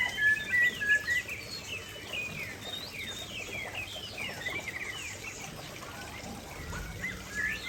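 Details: By a waterfall, a white-rumped shama delivers loud, rapid, repeated downslurred whistles and chattering notes, strongest at the start and end, against a constant background of rushing water.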